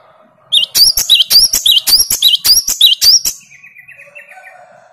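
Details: Great tit singing in reply to another great tit's lure song: a steady run of about nine loud, high two-note phrases repeated rapidly and evenly, then fainter lower notes at the end.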